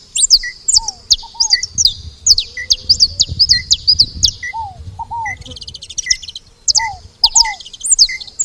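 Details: At the feeder a saffron finch makes loud high falling chirps and short notes, with a brief buzzy rattle, low curved double whistles and some low rumbling noise.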